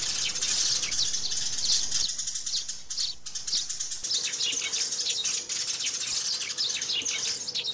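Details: Sparrows calling, hopping about and fighting keep up a dense flock chatter of high, rapid chirps and twitters, about three a second, with a faint steady hum beneath.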